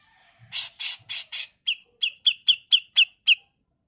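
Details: Female Grey-cheeked bulbul used as a master tutor song in the rough 'full mbeset kasar' style: four harsh, buzzy, broadband notes, then seven shorter, sharper notes with a clear whistled accent, about three per second, over a quiet background.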